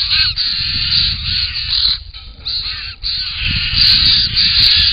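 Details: Wild Australian White-winged Choughs at a pond, caught on a camera trap while drinking and displaying with open mouths; harsh, grating calls run almost continuously, several birds overlapping in a noisy chorus with brief pauses.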